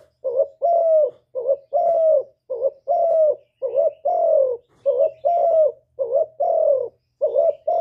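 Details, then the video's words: Spotted dove delivering a full hạp bổi song of calling, urging and cooing: mellow paired coos, a quick dipping note then a longer falling one, repeated in a regular chain roughly once per second, with no other sounds. "Cu Gáy Giọng Hạp Bổi ĐỦ BÀI (GỌI +THÚC + GÙ)"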